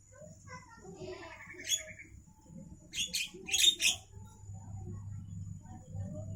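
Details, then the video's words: Javan myna heard at midday: after quiet scattered notes, a short cluster of harsh, broadband, chattering bursts arrives around the middle, with a faint steady hum underneath. "suara asli Burung jalak kerbau Siang Hari"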